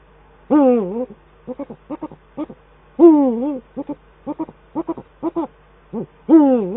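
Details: Male and female Eurasian eagle-owls duet at their Eifel nest on 22 December 2012, the male on the nest and a lower branch. Three long, wavering, harmonic calls about three seconds apart, with quick groups of short clipped notes between them.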